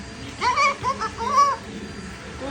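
A cockatoo gives three short, tonal, speech-like calls in quick succession, each rising then falling, in a quiet indoor room.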